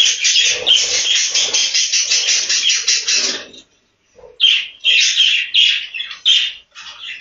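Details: Budgerigars in a breeding room: a run of fast, warbled chirps, a brief silence, then separate sharp chirp bursts in quick succession.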